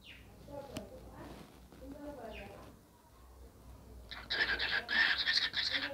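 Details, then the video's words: A dancing cockatiel breaks into loud, harsh, rapid chatter after several seconds of quieter murmuring, keeping up a dense grating burst until the end. "Talking Dancing cockatiel"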